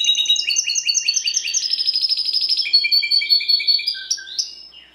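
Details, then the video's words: Timbrado canary, a domestic breed, singing in a quiet setting: quick hopping two-note phrases, then a fast even trill, followed by clipped repeated notes and a fading whistle. "CANARY SINGING"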